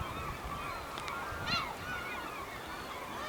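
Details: Over a hundred Black-tailed gulls crying at a harbour in Hokkaido, Japan, August 2010: a dense wash of overlapping mewing calls, fainter and more distant, with one short louder burst.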